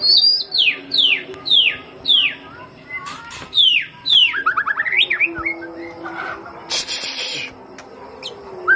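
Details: White-rumped shama song played as a lure, giving a run of sharp descending whistles at an even pace, then a fast rising trill, with clicks and a noisy burst later on.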